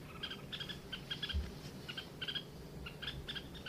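Red-whiskered bulbul singing short, bright, bubbly whistled phrases, repeated every half second or so, over a low rumble of background noise.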